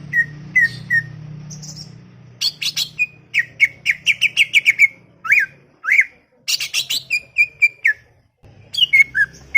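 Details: Greater green leafbird (cucak ijo), chattering, with scattered flat whistles, then a rapid string of short chirps, deep downward slurs and dense buzzy bursts, ending in evenly repeated whistled notes; low background hum.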